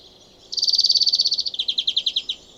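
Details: European greenfinch singing its territorial song: a quiet start, then a rapid bright trill of evenly spaced pulses that drops slightly in pitch midway and runs for nearly two seconds.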